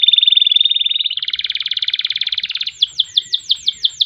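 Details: Singing canary for training other songbirds: a clear steady whistle merges into a rapid buzzy trill, then shifts to a series of distinct downward-swept notes about three per second.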